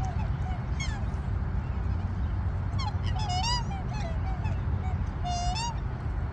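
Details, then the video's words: Australian black swans in Australia give soft, musical bugling notes that rise and fall, in short bursts a couple of seconds apart, over a steady low rumble of wind or traffic. "Black swans are singing 🎵 Hissing sound voice"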